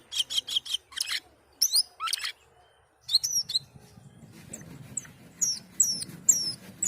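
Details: Asian pied starling singing energetically: quick clicking chips and harsh squeaks, then a pause followed by sharp, high, downslurred whistles repeated at intervals over a murmuring low background.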